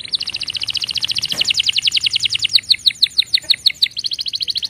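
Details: A canary gives fast warning calls: a long, very rapid rolling trill of high paired notes, slowing midway into separate curved chirps, then speeding again into a tight rattle.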